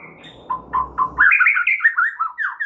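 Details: White-rumped shama in full song, used as a tutor recording to make other shamas answer: after a low rumbling start, loud sweet whistled phrases around the middle of the range, rising and dropping, with brief high sharp notes.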